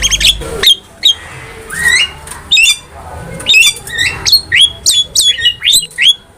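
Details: Javan myna in lively, persistent song, used as a master recording for training cage birds: harsh squawks mixed with short rising and falling whistles, the notes coming in quick bursts about twice a second.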